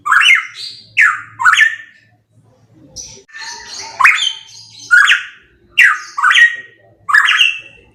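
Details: Loud pitohui song: strong rising whistled notes with harsh upper overtones, delivered in bursts, a brief quieter stretch of higher buzzy notes in the middle, then four more emphatic phrases at steady intervals.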